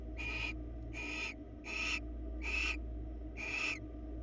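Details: Barn owls on a live camera in Florida give five drawn-out, raspy hissing screeches, roughly one every three-quarters of a second, over a low mechanical hum.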